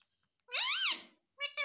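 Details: Pet rose-ringed parakeet imitating the words "mummy papa": one long, arched, voice-like syllable, then a short nasal start of a second word after a pause, indoors.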